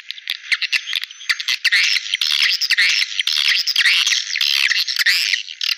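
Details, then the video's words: Swiftlets calling in a lure recording meant to draw them in: a constant mass of harsh twitters and short chirps, growing busier and louder after the first second and repeating in quick bursts. "suara panggil walet"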